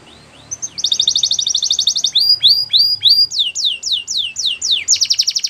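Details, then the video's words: Canary song opening with a quick rapid trill, then a series of rising-falling whistled sweeps about three per second, ending in a fast bright rattle. "Canary Singing Most Beautiful Song Bird"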